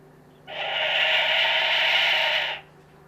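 A tawny frogmouth chick gives a single harsh, breathy hiss lasting about two seconds, steady in pitch, against a quiet background hum.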